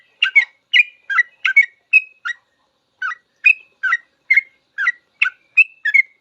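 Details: Sooty-headed bulbul singing long 'full ropel' song used to tutor caged birds: bright, bubbly paired notes and whistles repeated rapidly, with a brief gap midway.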